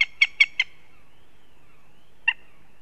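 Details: Northern goshawks in Riga, Latvia: four short, harsh, evenly spaced notes in well under a second, then one matching note after a long pause, against a quiet background.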